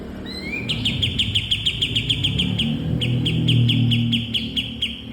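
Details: Kapas tembak bulbul song played to train cage birds: one rising whistled note, then a fast run of clipped, identical chirps, about four per second, with a short break midway and a low rumbling hum underneath.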